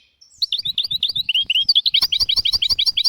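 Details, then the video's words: European goldfinch tutor song, played to teach goldfinches and canaries to sing; after a brief quiet start, fast tinkling high notes run in a steady, almost metronomic string of about four per second. "تغريد طائر الحسون حفاضة لتعليم طيور الحسون والكناري بدون أخطاء"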